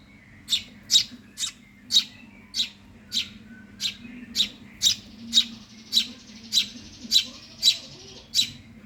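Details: Begging calls of a hungry Eurasian tree sparrow chick: a long, fairly even series of piercing high chirps, roughly two per second, with a soft low hum behind.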